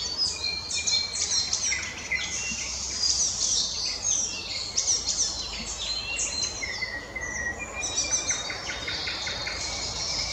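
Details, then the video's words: Icterine warbler singing on 12 May 2020 in the Krasnoglinsky area: a varied, rapid stream of high chirps, squeaky whistles and harsh scratchy phrases, with a few lower drawn-out whistled notes near the end. "Зеленая пересмешка"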